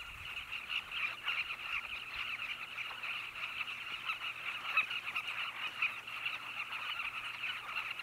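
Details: Colony of Carmine bee-eaters, Zambezi Mubala Lodge, Namibia, giving a loud, unbroken stream of scratchy chirping calls from numerous birds, a few sharper notes standing out above the chatter, and a faint low hum beneath.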